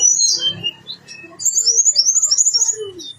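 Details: Blue-winged leafbird singing energetically with all its mimicked fill-in phrases: scattered high slurred whistles and short lower notes, then a fast sparkling run of very high chirps, ending with a lower downward-sliding note.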